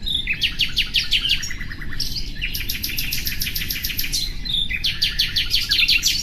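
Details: Common nightingale song made of fast, evenly repeated clicking notes in rattling series, broken by short pauses and a few lower whistled notes, with constant low background rumble.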